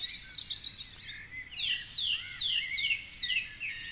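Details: A song thrush sings during the dawn chorus at 4:45am, perched atop a tall tree along the Curragheen River in Cork City, Ireland. Loud, bright downward-slurred whistles are repeated about five times in a steady series over busy background birdsong.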